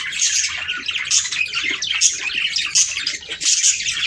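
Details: Budgerigar song for breeding stimulation: busy scratchy warbling with clicks and squeaks in uneven pulses, rich high tones, and a faint low hum underneath.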